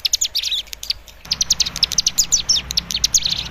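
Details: Young captive cigun practising its lure song to draw a raw cigun into singing: rapid, dense bursts of high, sharp chirps and twittering notes, some short whistled slurs, almost continuous after a brief pause.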